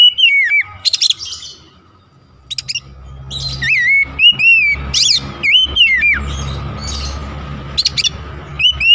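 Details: Oriental magpie-robin singing as a lure meant to provoke and agitate other magpie-robins: loud, clear whistled phrases that slur up and down, with short harsh chattering bursts and a steady faint tone over a low rumbling background.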